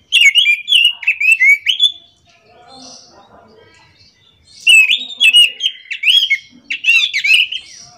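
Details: Orange-headed thrush singing in the morning in a continuous rolling style, called ngerol. Two bursts of rich, varied whistled and slurred phrases are separated by a quiet gap. Faint low background murmurs are also heard.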